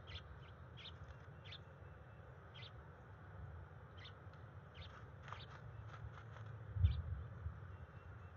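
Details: Nesting bald eagle, the female, repeats high, squeaky chirps in short bursts while prompting her mate to mate on the nest, 30 January 2021. The notes are thin and scattered against constant low-pitched background rumble.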